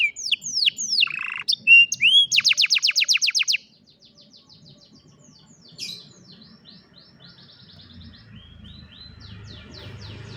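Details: Old caged canary singing in the afternoon: rapid descending whistled trills, a fast buzzy rattle of repeated notes, then the song fades into quieter scattered chirps over faint low background hum.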